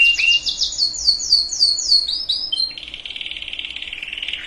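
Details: Canary song for breeding preparation of both sexes: high descending chirps repeated quickly, a few lower slurred notes, then a dense fast buzzy trill.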